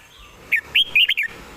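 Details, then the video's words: Red-whiskered bulbul singing a quick, well-phrased song from its perch: one brief burst of four bright, slurred whistles, clear and lilting. "ยืนร้องชิวๆ"สำนวนดี ปากไว #นกกรงหัวจุก #เสียงนกกรงหัวจุก"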